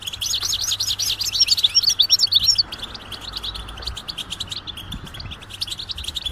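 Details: European goldfinch mating calls intended to rouse silent males into song; rapid wavering trilled twitters in the first half, then quieter, evenly spaced high chips.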